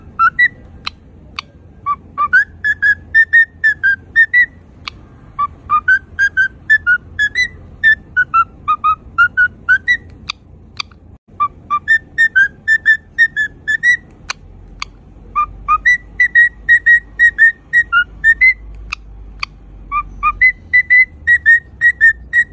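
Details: A cockatiel named Pete, a pet, sings a run of clear, fluting whistles, rising and falling in quick repeated phrases.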